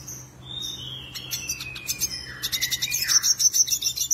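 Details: Black-headed siskin, a seed-eating bird, singing actively as a song master. Thin drawn-out whistles slide downward, then a quickening series of sharp high chirps and buzzes follows, with a faint low hum throughout.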